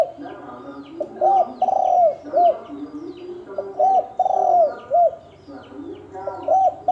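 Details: Spotted dove ('thổ đồng') fighting in the 'kích trống, kích bổi' style. Phrases repeat roughly every three seconds: clipped arched coo, extended throaty falling coo, short rounded coo. Faint twittering of small birds is in the background.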